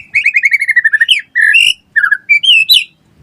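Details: Singing white-rumped shama in full, vigorous voice, used as a lure and tutor for other shamas and quick to answer back: a rapid run of about ten clear whistled notes slipping downward, then varied slurred whistles and a rising flourish.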